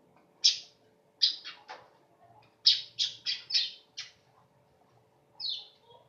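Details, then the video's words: Weaver with a sharp, canary-like voice gives a series of harsh, abrupt chirps in quick bursts of three or four, separated by short pauses, with one softer slurred note near the end. "Kicau Burung Manyar"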